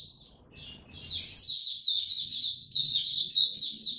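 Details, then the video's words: White-eye opening its song in warm, very humid weather on 26 March 2022: a soft note, a brief lull, then energetic high-pitched twittering phrases in quick succession, with faint low background noise. "Mata Puteh Hercules buka sing warm n very humid weather"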